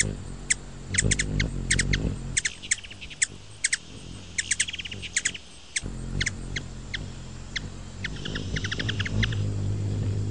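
Ruby-throated hummingbird giving dry, high chips in quick, uneven bursts, with a low background hum throughout.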